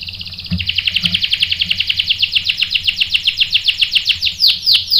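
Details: Canary song used as bait to provoke a male into replying with rolling song: a faint opening, then a long, fast, even trill of high buzzy notes repeating almost four times a second and slowing into separate downslurred notes at the end.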